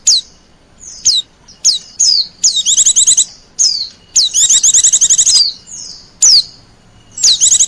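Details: Wild-bird lure call of the Oriental white-eye: separate thin, steeply falling whistled notes, then faster high trilling runs, with quiet pauses between.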